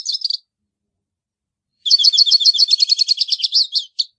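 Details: Hooded siskin giving a short twitter, then a longer song of rapid repeated high chirps accelerating into a buzzy trill and a final single note; quiet surroundings.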